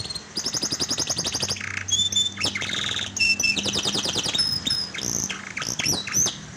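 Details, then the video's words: Lure song of a canary, meant to get a silent canary singing; rapid rattling trills alternate with buzzy bursts, pure high whistles and short slurred notes in a dense, varied phrase. "pancingan buat kenari macet bunyi"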